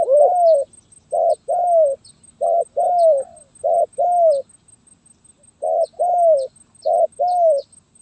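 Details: Terkukur (spotted dove) singing the stuttering 'gagap tindan' or sepatah style, 23 January 2022: repeated phrases of a short clipped coo followed by a longer falling coo, given about three times with brief pauses.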